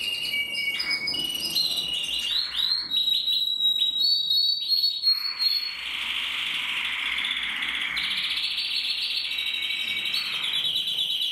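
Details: Male canary from a breeding aviary singing: high clear whistled notes and quick rolling trills, followed by a long sustained buzzy high warble, against a constant background hiss.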